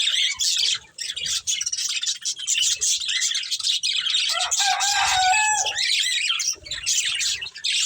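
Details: Budgerigars, a breeding pair, chirping: dense, continuous high warbling chatter with scratchy notes and quick twitters, nearly unbroken throughout, with one brief louder rasping phrase midway.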